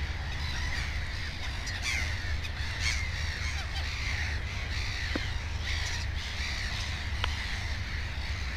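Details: Harsh, grating cries from black-headed gulls at a nest holding two chicks come in quick overlapping bursts, with a couple of sharp clicks and a constant low rumble underneath.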